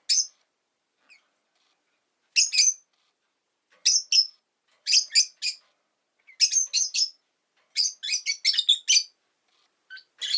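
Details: Shrill, rapid chirping from a pet Rosy-faced lovebird, notes grouped in quick runs of three to six that grow denser toward the end, with brief silent gaps between bursts.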